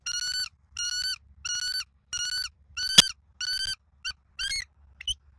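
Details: Southwest Florida bald eagle from a live nest cam, 17 November 2024, evening. High piping notes with rich harmonics repeat about every 0.6 seconds, a sharp click mid-sequence, the last notes shorter and broken; little background noise.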